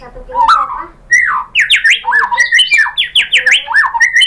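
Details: Lure song of a white-rumped shama full of borrowed phrases, sung to provoke other birds to reply: a soft warble, then a burst of sharp, sweeping whistles rising and falling in quick V-shaped strokes.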